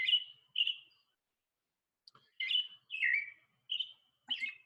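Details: American Robin, presumably male, singing its typical song: short, clear, whistled caroling phrases that rise and fall, about six in under five seconds with brief pauses, the last higher and squeakier; each phrase is itself a song strung into a sequence.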